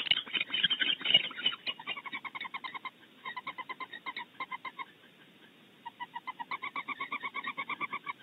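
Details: Two barn owls, female and male, vocally defending a nest cavity at Starr Ranch, California: harsh bursts at first, then runs of rapid, even, nasal twittering notes broken by brief pauses.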